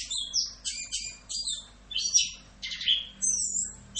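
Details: Masteran song of an Orange-headed thrush, full 'Rock'n Roll' style: rapid bright whistled notes and buzzy sweeps in irregular bursts, roughly eighty per minute, over a quiet low hum.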